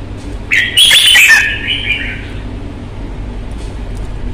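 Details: Red-whiskered bulbul, a Vietnamese cage bird noted for its fighting manner, gives one loud whistled phrase with a harsh burst, descending gently and fading out.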